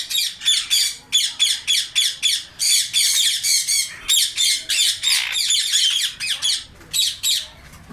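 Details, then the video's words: Summer colony of Indian ringneck parrots calling in a rapid harsh chatter, short shrill screeches repeated about three or four per second, overlapping voices from several birds, slowing near the end. "Ring Neck Colony in Summer"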